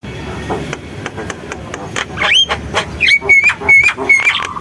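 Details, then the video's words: Javan myna singing vigorously: after a stretch of rustling and dry clicks, clear whistled notes appear, one rising, then a run of level whistles at the end. "JALAK KEBO GACOR, SUARA JALAK KEBO"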